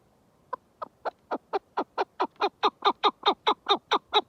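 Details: Chukar partridge call starting softly and building in loudness, a regular train of falling chuk notes repeated a little over twice a second.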